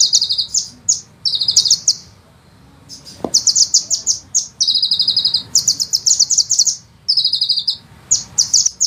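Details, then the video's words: Sunbird master song for training songbirds, with rolling long bursts: rapid, piercing high trills in packed phrases, a pause near the middle and one faint low click. "suara penghisap madu ngeroll nembak panjang"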